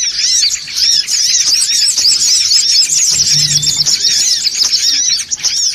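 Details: Busy chorus of songon otong birds used as a lure: sharp, high squeaky chirps pour out densely and steadily, with a brief low hum partway through.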